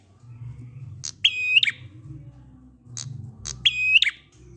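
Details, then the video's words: Prinia giving its drawn-out 'ngalun' song, used to coax silent prinias into singing: two buzzy, ringing high phrases about two seconds apart, each ending in a short twist, over a low steady hum. "Prenjak ngalun ampuh 100% buat prenjak macet agar ikut bunyi"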